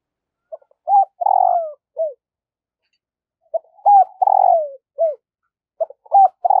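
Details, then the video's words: Spotted dove used as a decoy, calling wild doves in the morning: low coo phrases repeated twice, each of quick short notes, a long throaty descending coo and a closing downslurred note. "Tiếng chim cu gáy thúc và gáy gọi bổi vào buổi sáng"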